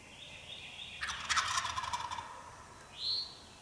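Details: An Eastern wild turkey gobbler in Mississippi, heard in the early morning during hunting season, gives one gobble, a rapid, rattling, descending burst just over a second long. A short, high, clear note from another bird follows.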